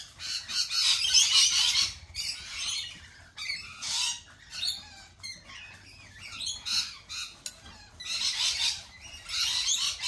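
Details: Lorikeets at a lorikeet cafe, giving bursts of harsh, high screeching chatter in loud clusters separated by short quieter gaps, with several birds calling over one another.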